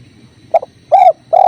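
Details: Spotted dove on a training recording with clear river sounds: three low, hollow cooing notes. The first is short and doubled, followed by two longer, even coos about half a second apart.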